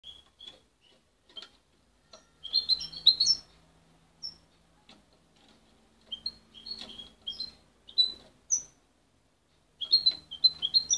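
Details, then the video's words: Young goldfinch hybrid, raised by its mother and separated at 23 days, not hand-reared, still muddling its song: scattered high chirps and short twittered phrases broken by pauses, with a faint low hum underneath. "Mixto de jilguero joven"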